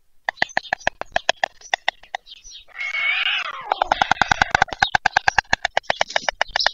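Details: White stork chicks at evening feeding time, Pyriatynskyi National Nature Park, Poltava region, Ukraine, 21 July 2024, from a live stream: rapid dry clattering clicks, then a drawn-out nasal wailing call midway before the clicking resumes.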